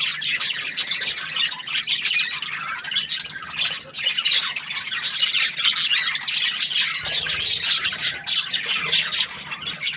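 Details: Continuous bright chatter from a happy budgerigar: rapid raspy chirps and warbled squeaks layered thickly, with a short dip in loudness near the seventh second.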